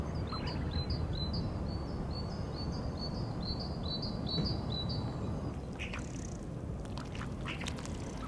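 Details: Tufted ducks give short, thin, high whistle-like notes in daytime, repeated quickly for several seconds over a steady low rumble of wind or water.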